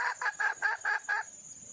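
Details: Wild hen red junglefowl calling for a male: six harsh, rasping clucks in quick succession, then quiet with only a thin high hiss.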